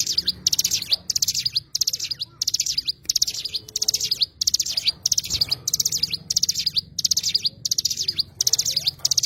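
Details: Oriental white-eye singing in short, very high-pitched twittering bursts, each a quick cluster of thin notes closing with a sharp slurred note, repeated steadily about every seventh-tenths of a second with brief silences between.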